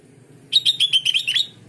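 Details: Sooty-headed bulbul recording used to draw answers from other bulbuls: a one-second string of about eight quick, bright chirps, the last ones slurring upward, with a faint low hum behind.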